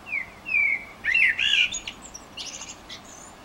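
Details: A common blackbird in Utrecht on 9 June 2014 sings a mellow, fluting phrase of low whistles, ending in a thin, high twittering flourish.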